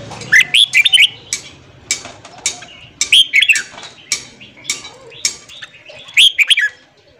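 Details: Red-whiskered bulbul morning song played to stimulate newly caught bulbuls: lively whistled phrases of three or four notes repeated roughly every two to three seconds, with sharp clicks between them.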